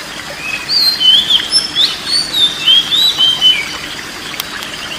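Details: Oriental magpie-robin singing, played as therapy for a stressed bird or one reluctant to sing: a run of clear whistled notes, some rising, some falling, packed closely over a few seconds, with a faint hiss behind.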